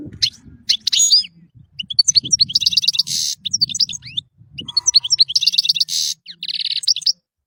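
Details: European goldfinch singing in lively phrases of rapid chirps, slurred whistles and harsh buzzy trills, two long bouts separated by a brief pause, with low murmuring noise underneath; recorded as tutor song for songbirds.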